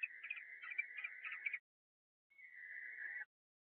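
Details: Barn owl at a nest box during egg-laying, as the male brings dinner to the roosting female and then mounts her: a harsh, rasping screech of about 1.5 seconds, then a smoother, steadier hissing screech after a short pause.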